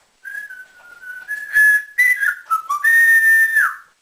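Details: Caged pet African grey parrot, male, trained to whistle like a builder; a long steady whistle that grows louder, then choppy sliding notes ending in a sustained falling whistle.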